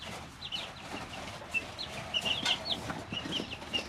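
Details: Small chicks, three weeks old, in a brooder, sounding sparse then denser high chirps, some sliding downward, over quiet rustling.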